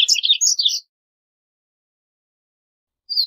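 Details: Short, high chirping phrase of a double-collared seedeater, a few quick sweet notes lasting under a second, followed by silence and the start of another note.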